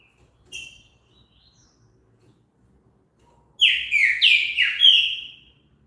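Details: Trinca-ferro (green-winged saltator) gives a single short whistle, then after a pause a rapid burst of five or six rich, downslurred whistled notes forming one lively phrase.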